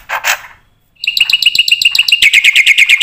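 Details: Chattering black-winged starling song with full fill-ins, meant to prompt other birds. A brief harsh burst is followed by silence, then a fast even train of ringing whistled notes, about four per second, growing louder.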